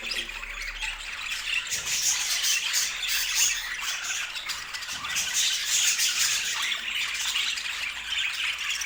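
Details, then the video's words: Lively budgerigar chatter, with many birds twittering and squawking together in quick, irregular bursts, about three notes a second, forming a steady high-pitched din. "O Som dos Periquitos"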